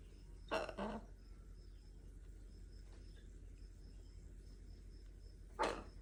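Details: A pet macaw, after playing and throwing its toy away, gives a harsh, raspy double squawk, then one more loud squawk about five seconds later, over a steady background hum and faint insect-like buzzing.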